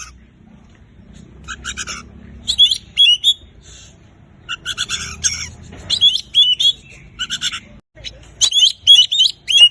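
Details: Lively gacor song of a kacer, the Oriental magpie-robin, aimed at getting mute birds singing: quiet opening, then repeated clusters of rasping chatter and short whistled upslurs, growing denser toward the end.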